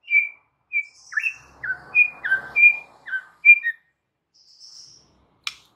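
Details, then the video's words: White-rumped shama in full, energetic song meant to rouse stalled or badly stressed shamas: a varied string of clear, high whistled notes and short slurred phrases. Brief pauses separate the phrases, with a soft high note and a click near the end. "Murai Batu GACOR BONGKAR ISIAN , paling EFEKTIF untuk PANCINGAN Murai MACET & STRESS parah"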